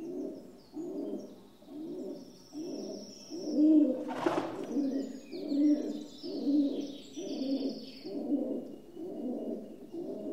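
Rock dove giving low, throaty, rolling coos in a steady series, one every second or less, with a sharp flutter midway and faint high chirps of other birds.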